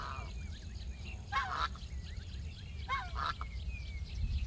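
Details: Backyard geese give two brief bursts of rough, nasal honks about one and a half seconds apart, with faint thin chirps of small birds and a low background rumble between them.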